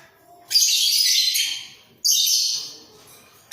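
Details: Two budgerigars, a pair kept in a breeding cage, nodding their heads as they call: two rasping, noisy chatter phrases, each fading out, then a third begins at the very end.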